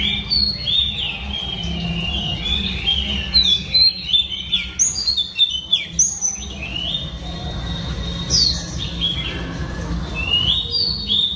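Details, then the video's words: Oriental Magpie Robin female in song meant to excite males, delivering a continuous stream of bright whistles, quick downslurred notes and sharp chirps in varied phrases, with a constant low rumble in the background. "Than mái hót kích trống Oriental Magpie Robin Female"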